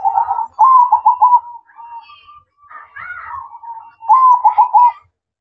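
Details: A zebra dove (perkutut) sings manggung at night: a quick rolling series of mellow trilled coos, then softer drawn-out notes and a brief higher sound, ending with another bubbling burst of coos.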